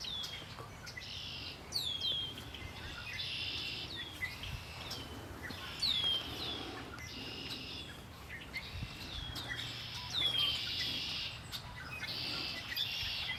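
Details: Birds singing by Lake Erie in a busy chorus: falling whistles and bursts of buzzy trill return every few seconds, with low rumbling background noise throughout.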